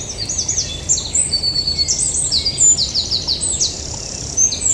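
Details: Yellowhammer singing outdoors in the Eifel: a run of high, thin, slurred notes repeated in quick succession, with further high chirps and a faint low background rumble.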